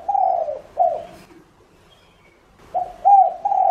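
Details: Spotted dove used as a decoy, calling to attract other doves. Mellow coos come in short phrases, one long falling note and a clipped coo, then after a pause three more coos rising in loudness.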